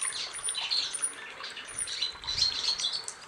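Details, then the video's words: A male white-bellied sunbird (Cinnyris talatala) sings a fast, high-pitched twittering stream of thin chirps and brief whistled notes, jumbled and continuous throughout. "Weißbauch-Nektarvogel Männchen singend"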